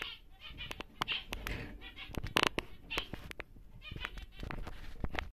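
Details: Large captive male zebra finch, normal grey, gives scattered nasal buzzy notes amid frequent ticking and clattering cage noises.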